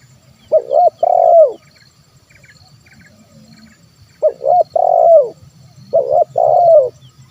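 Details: Spotted dove 'kuk 1' call for luring wild birds, given three times: each phrase has a short double hoot followed by a longer purring coo that falls away, over a faint low rumble.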